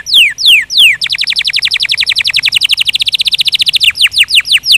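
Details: Canary song: loud, clear downward-sweeping whistles, then a fast even trill of short notes for about three seconds, then slower descending whistles again.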